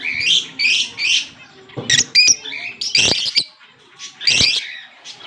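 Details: October 16, 2023 recording of a green Fischer's lovebird pair: three quick high chirps, then sharp clicks and shrill squeaky calls in irregular bursts.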